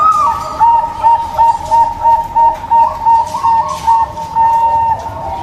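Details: Local zebra dove song used to coax a zebra dove that will not sing: a rising opening coo, then a rhythmic series of soft, bubbling cooing notes at an even pace.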